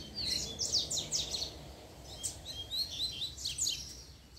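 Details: Coleiro singing outdoors: a quick series of thin, high chirps and short slurred notes in uneven bursts, over a steady rural background hiss.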